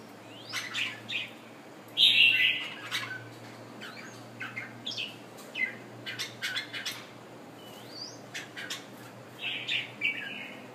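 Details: Freshly moulted red-whiskered bulbul of Thailand type, kept in captivity, opens with a strong rich warble, then scattered short clicks, chips and upward-sweeping whistles before another warbled phrase near the end.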